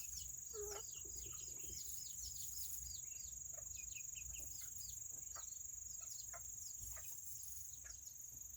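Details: Several Serama chickens, a tiny breed, chirp on a rainy Saturday: brief high peeps falling in pitch, repeated fairly steadily, with one lower wavering note early on and a continuous high electrical-like hum behind.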